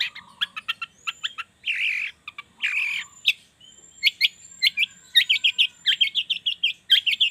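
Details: Morning lure song of a long-tailed shrike, played to get silent shrikes singing along; a mix of harsh rasping bursts and quick chirps, ending in rapid clipped, repeated notes, with a thin high whistle from another bird.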